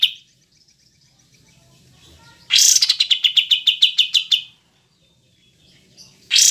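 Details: Cream-vented bulbul (kapas tembak) recorded cleanly to train kept songbirds: a brief note, a quiet stretch, then a long, fast, steady series of sharp chirps, with another burst starting at the end.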